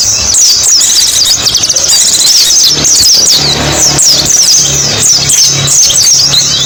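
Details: White-eye song used as a lure for small birds: dense, overlapping high twittering and rapid chirps from many birds, continuous throughout, over a low steady hum.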